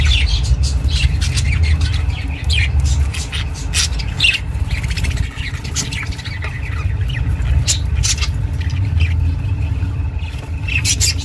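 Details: Pet budgie chattering for lonely budgies; intermittent high, scratchy chirps in short runs, heard over a loud continuous low-pitched rumble.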